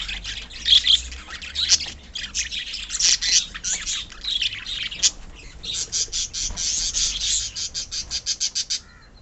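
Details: Kept budgerigars from a colony give loud harsh squawks and chirps, then a fast run of evenly spaced short chips near the end before falling quiet.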